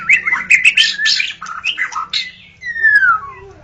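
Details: White-rumped shama singing at dawn, for luring shamas: a busy run of warbled, overlapping whistles, then a long clear note gliding downward after a brief gap.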